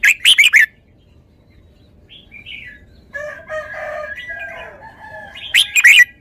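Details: Red-whiskered bulbul opening with a loud four-note burst, then lower warbling and slurred whistles, before closing with another sharp four-note burst.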